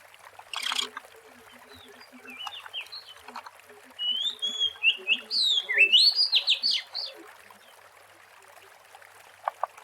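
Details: Oriental magpie-robin in natural surroundings, used as a lure, singing a fast burst of whistles and rising sweeps midway, with scattered faint calls and clicks before and after.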